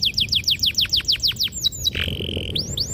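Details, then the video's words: ['Canary in lively song used to prompt young canaries to sing: about a dozen quick descending whistled notes, a short buzzy tone, then rising chirps.'] "PANCINGAN KENARI PAUD BELAJAR BUNYI"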